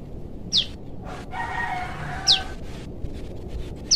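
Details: Young forest prinia calling for its parent: sharp, high, thin notes spaced every couple of seconds, while a rooster crows faintly in the background.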